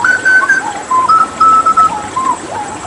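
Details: Hooded butcherbird from Papua, after water therapy, giving clear flute-like whistled notes that step up and down, some held, others sliding downward, in a loose melodic phrase.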